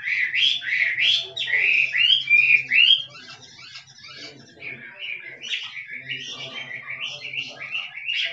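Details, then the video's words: Chinese hwamei from the forest in 'kích trống' song: strong slurred whistles for the first three seconds, then a softer stream of quick repeated notes, with a faint low hum beneath. "Chim họa mi rừng kích trống hót cực đỉnh nghe đã tai"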